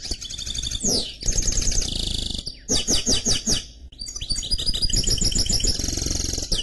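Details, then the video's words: A canary x goldfinch hybrid sings continuously: twittering rolls, a falling sweep, buzzy sustained trills and strongly pulsed repeated notes, with rapid varied phrases throughout and faint low hum. "Chant Mulet Canari X Chardonneret"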